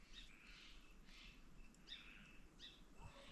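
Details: Steller's jays in woods behind a forest homestead give distant, harsh rasping calls about every half second, freaking out, likely at a barred owl; over a steady low rumble of outdoor noise.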